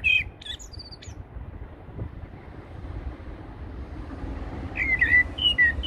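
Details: Eurasian blackbird song recorded at Heidelberg Castle: a squeaky high twitter opens, then a pause, then fluted, slurred whistles return near the end over faint low hum.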